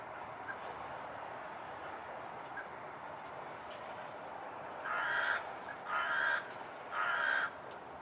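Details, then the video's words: A fat crow, fed daily for years and staying close to where the food is, gives three harsh, hoarse caws about one second apart, each roughly half a second long, over a steady background hiss. "Crow Cawing"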